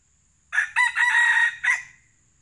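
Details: Junglefowl used to lure wild junglefowl, crowing once: a loud, harsh, multi-part crow of about a second and a quarter. Two short opening bursts lead into a long sustained middle, then a brief clipped final note, over a quiet background.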